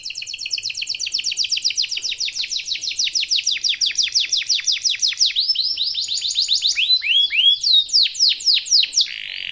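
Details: Canary singing a long rolling master song meant for young canaries to copy: fast trills of downward-sweeping notes around 3–7k, shifting into varied slurred whistles and a buzzy roll near the end.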